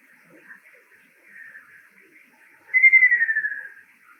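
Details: Male ruddy kingfisher singing in Tainai, Japan, where it is a summer visitor: one rolling, slightly descending trill about a second long that pulses and fades at the end, after softer, fainter notes at the same pitch.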